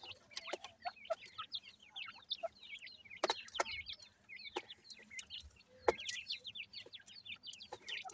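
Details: Feeding grey francolin chicks keep up a continuous twittering of short, high, slurred peeps, punctuated by sharp click-like taps every second or two.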